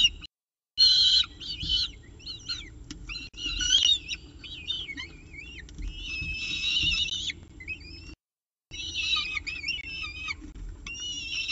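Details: Peregrine falcon with a pigeon breakfast at the CSU Orange nest, 24 October 2018, early morning. Scratchy, wavering wails and chitters come in uneven bursts. Brief silent gaps occur near the start and toward the end.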